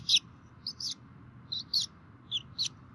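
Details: Both bald eagle parents feeding at a Minnesota DNR webcam nest in 2016; bright, high squeaky chirps, single and paired, sound every half second or so over low background hum.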